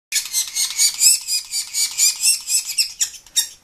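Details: Baby sapsucker begging for food, a continuous run of harsh, high, buzzy squawks pulsing about four times per second, loud and insistent, with a few brief gaps near the end.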